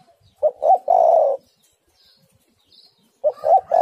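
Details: Female spotted dove calling a male, played as a lure to set doves calling: a low mellow phrase of two quick notes and a drawn-out falling coo, then the same phrase starting again after a pause.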